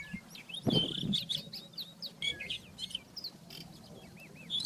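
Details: Wild rufous-tailed scrub robin song, a fast run of high looping whistled notes and chirps, some repeated in pairs, with a brief low thump early on and a constant low background hum.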